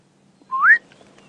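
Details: A black-headed oriole gives a single liquid whistle that slides upward, clear and brief, in the sunrise dawn chorus on 20 July 2016 at a South African safari reserve, with wood hoopoes and a scrub robin also calling.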